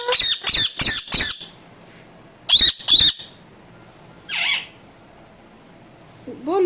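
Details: Talking Indian ringneck parakeet uttering a quick run of four harsh squawks, a pause, then two more, with a softer nasal note later and a person's voice starting at the end.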